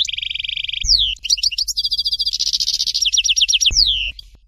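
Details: Dalya-style goldfinch song, Fort de L'eau: a sustained steady high tone gives way to falling slurs, a buzzy rattling stretch, a run of quick downward-swept notes and a final falling whistle.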